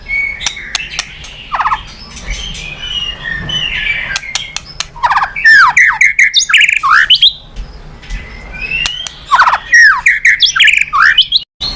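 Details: White-rumped shama, recording intended to make other birds sing: quieter scattered clicks and soft notes at first, then loud rapid phrases of whistled slurs, trills and chattering notes in dense bursts.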